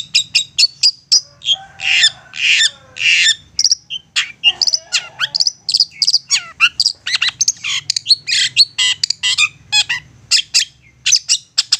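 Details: Cendet, a long-tailed shrike, singing persistently as a lure to make other shrikes answer: a dense, continuous medley of sharp chips, harsh bursts, and quick twittering notes with hardly a pause.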